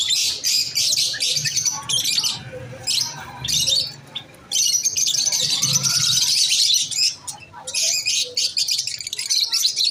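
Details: Shrill, rapid chattering from masked lovebirds comes in long runs, broken by a near-silent pause around four seconds and a dip near seven.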